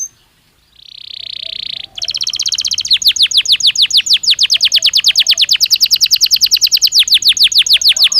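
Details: Belgian canary, a domestic singer, giving a steady hissing buzz, then launching into a long fast trill of sharp repeated notes, about seven per second, loud and sustained to the end.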